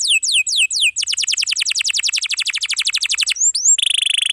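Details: Atlantic canary long-roll song meant for training young canaries and those that stopped singing: a few down-slurred whistles, then a rapid, even roll of descending notes for over two seconds, ending in a fast high trill.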